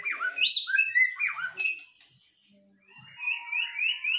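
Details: Song duel between white-rumped shamas, a Medan bird versus a Nias forest bird: sharp swooping whistles, a long high buzzy note, then a soft series of rising whistled notes repeated several times.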